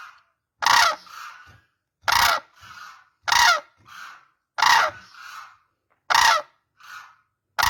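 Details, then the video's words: Crane giving loud, harsh trumpeting calls in a steady series, one roughly every 1.4 seconds, each blast followed by a softer, fainter answering note; six calls in all, with silence between them. "crane birds sound"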